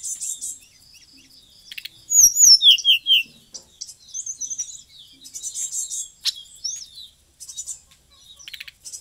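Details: Bali white-rumped shama delivering a lively song rich in fill-in phrases. Buzzy high chatter alternates with loud, clear descending whistled slurs and quick twittering runs, repeated in varied bursts.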